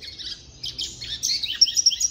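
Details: A one-year-old captive seedeater raised in an aviary among other birds sings right after being placed beside another bird: a quick, high-pitched string of bright chirps and sharp whistled notes, speeding into clipped repeated notes near the end.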